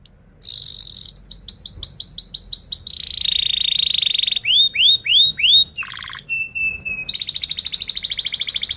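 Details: Vigorous canary song with rolled trills, offered as a model for young canaries learning to sing; quick chains of repeated upswept notes give way to a buzzy roll, arched whistles, a low burst and a fast high trill.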